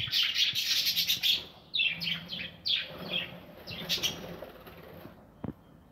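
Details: Budgerigars nesting in an aviary give busy high chatter, warbled notes crowding together at first, then separate downward-swept chirps every half second or so, fading toward the end with one knock.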